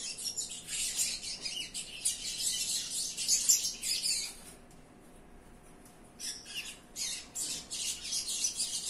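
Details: A captive-bred double-collared seedeater sings a rapid, high, twittering song in dense bursts, pausing about a second and a half before the chatter resumes.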